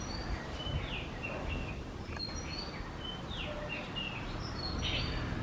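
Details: White-rumped munias at a bird feeder in Kerala give short, high chirps and twittering notes, scattered irregularly through the clip over a steady low background rumble.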